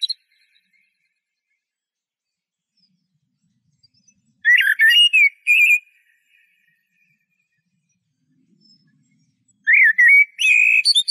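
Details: Eurasian blackbird singing two short bursts of mellow warbled whistles with sharp high twitter, separated by about four seconds of near silence.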